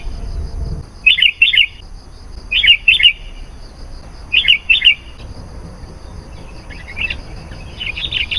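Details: Sooty-headed bulbul lure call for attracting wild bulbuls: paired bright chirps repeated three times about every one and a half seconds, then softer scattered notes near the end, over a quiet hissy background.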